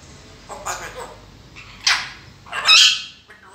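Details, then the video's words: A grey parrot talking, giving three short, speech-like utterances, each a bright burst with squawky overtones, the last the loudest and harshest. "Talking Gray Parrot"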